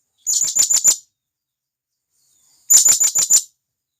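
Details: Wild blue-crowned hanging parrot calling companions from the forest: two rapid bursts of five shrill high notes each, separated by roughly one and a half seconds of silence.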